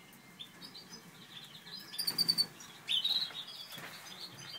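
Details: From a breeding pair of Satinet canaries, a Natur/Satinet cock with a Satinet hen: quiet at first, then two bright bursts of fast chirping trills near the middle, then low hiss.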